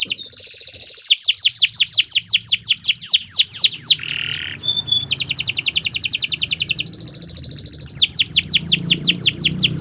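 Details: Long, nonstop canary song used as tutoring material for other cage birds. It has dense runs of fast, high descending notes alternating with ringing trills and a brief harsh buzzy note, then further sustained rattling phrases.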